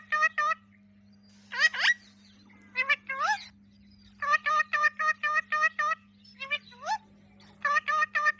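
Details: Pet ringneck parakeets giving natural talking sounds, short stacked chattering notes in tight pairs and trills with a few rising swoops, grouped into bursts separated by brief pauses, over a constant low hum.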